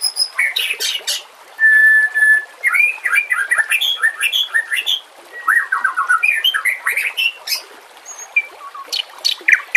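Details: White-rumped shama in full 'nembak' song with borrowed fill phrases, for training caged birds, alongside trickling water: a long steady whistle, then cascades of rapid slurred whistles and stuttering repeated notes, dense and varied for ten seconds.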